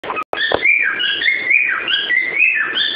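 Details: Pet cockatiel whistling a tune, 'Ô bate o pé': clear, sliding whistled notes that rise and fall in a looping melodic line, opening with a sharp click or knock.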